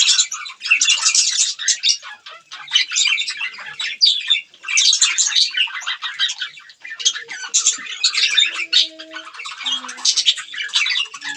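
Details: Budgerigars eating green food chatter in repeated bursts of high squeaky warbling, pausing briefly between phrases, with faint low tones near the end.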